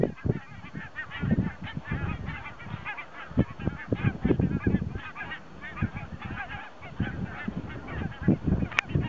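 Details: Thousands of geese, a mixed flock that includes Arctic species such as Bean, Pink-footed, Barnacle and White-fronted Geese, rest on a lake at Hjälstaviken near Stockholm, Sweden, during autumn migration on a very windy September 22, 2009. Dense overlapping honking mixes with heavy wind rumble.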